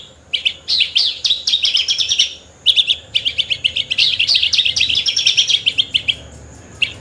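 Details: Horsfield's bush lark singing continuous high, rapid staccato chirps and trills, nearly unbroken for several seconds.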